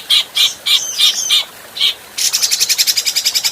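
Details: Adult grey-cheeked bulbul singing for use as a training recording: a string of separate, loud, rich whistled notes about a third of a second apart, then a fast, even, buzzy rattle of repeated notes to the end.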